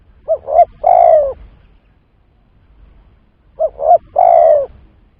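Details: Spotted dove calling as a trapping lure: two phrases about three seconds apart, each two quick clipped coos leading into a longer, slightly descending coo.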